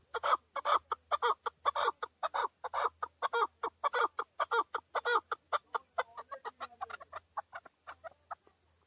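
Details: A male chukar partridge calls in Tajikistan in 2020. Loud, clipped chuck notes pour out in a fast series, then thin out and soften after six seconds. A low steady hum runs underneath.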